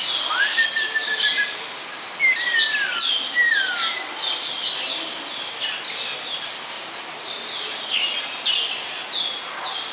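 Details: Snowy-crowned robin-chat (Cossypha niveicapilla) singing at Chester Zoo, clear, slurred whistles that glide downward, over a dense backdrop of high chirping and twittering from other birds.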